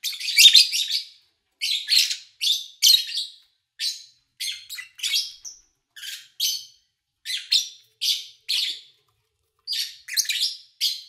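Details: Lovebirds kept by an owner, recorded over three days in early August 2019 from morning to evening with little engine or human noise: bursts of harsh, high chirps in short clusters, repeated roughly every second with brief silent gaps.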